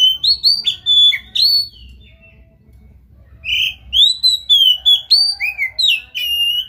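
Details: Oriental magpie-robin (kacer) in Indonesia, a strong singer used to provoke a silent bird into singing: loud, clear whistled phrases sliding between high and mid pitch, a pause of about a second, then rapid varied whistles and sharp chips.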